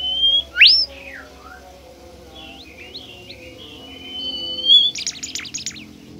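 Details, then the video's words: Bimoli bird, described as shy and close to extinction, singing to a lure recording: a loud sweeping whistle, soft twittering chirps, a long thin level whistle, then a burst of rapid buzzy high notes. "burung bimoli DIJAMIN NGAMUK dan GACOR dengan pancingan bimoli ini"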